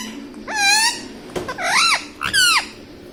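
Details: Pet parrot saying mummy, three loud rich harmonic syllables, the first level, then two arched rising-falling ones, with a sharp click between them in a quiet indoor room.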